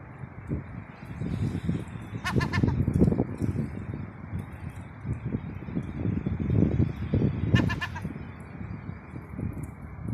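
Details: Gull calling 'ga ga ga' in two separate bursts of short, clipped nasal notes about five seconds apart, over constant heavy wind noise.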